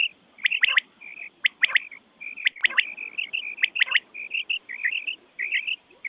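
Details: Quail calling meant to draw birds in for hunting at night, heard as clusters of sharp clicking triple notes mixed with rapid short chirped pairs.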